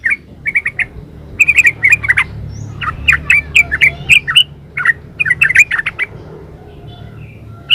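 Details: Sustained 'gacor ropel uplik' yellow-vented bulbul song: clusters of rapid bubbling, chirpy notes repeating almost continuously with brief gaps, over low steady background noise.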